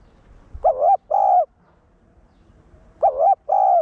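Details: Spotted dove, known as cu gáy, giving the one-ending decoy coo to rouse newly caught caged males: two matching pairs of mellow coos separated by a short, nearly silent pause.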